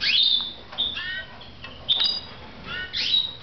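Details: Red mosaic canaries at home in Moudania give loud, high whistled chirps, separated by softer, stacked, nasal notes in a steady back-and-forth.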